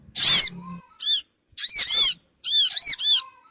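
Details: Lure call of the Sogon bird, played to draw small birds together quickly: shrill, down-curving squeaky notes in clustered bursts separated by brief silences.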